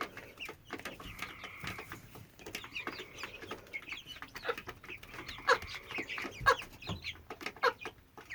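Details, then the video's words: Constant calling from a 10-12 week old hen, begun 22 May 2017, the bird otherwise acting normally: drawn-out nasal tones mixed with quick chirps, about one burst per second, irregular. "10-12 week old hen making this sound"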